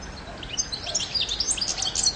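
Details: European goldfinch singing a fast, liquid twitter of high, bright chirps and short slurred notes, delivered continuously over faint background hiss.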